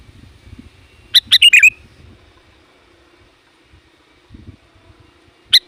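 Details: Sooty-headed bulbul calling to draw in wild bulbuls, giving a quick burst of several sharp chirps run together, then a single clipped note at the end, with faint low rumbling in between.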